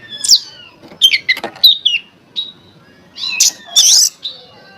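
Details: Oriental magpie-robin song intended to provoke other magpie-robins to sing: a mix of scratchy squawks and slurred whistles, a short pure note, then a loud harsh rasping burst.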